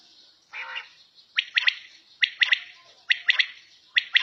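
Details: A brief rough burst, then a quail at home gives four sharp triple-noted phrases, each a lone note and a fast pair, repeated a little over once per second.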